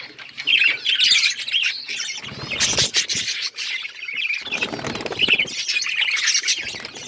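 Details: Breeding budgies give warbled chirps and squawks. Loud rustling bursts, like fluttering wings, break in twice.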